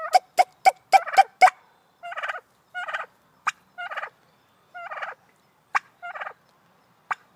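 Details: White female turkey calling for attention: a quick run of sharp yelps, then pulsed raspy purring calls repeated about every second, mixed with single clicking notes, in a quiet setting.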